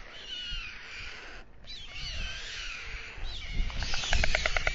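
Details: Male white stork feeding two chicks at dusk on a nest atop the town hall tower in Alcalá de Henares, Spain: drawn-out scratchy rasps give way to a quick series of clicking, knocking pulses at the end.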